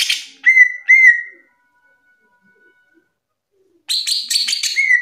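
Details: Greater green leafbird, a top nationally ranked singer, gives two loud downslurred whistles, falls silent, then bursts into a buzzy, chattering phrase that ends on a clean whistle.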